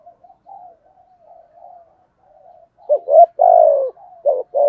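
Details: Spotted dove decoy bird of the 'thổ cục đỉnh' voice style, cooing to provoke wild doves. Faint, soft low coos come first, then one loud coo: two short rising notes and a long, falling, hoarse note, with another coo starting.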